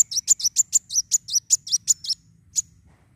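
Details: A Black Sunbird, played to stimulate other sunbirds to sing, gives a fast run of about a dozen sharp, very high chipping notes, then pauses before one last note.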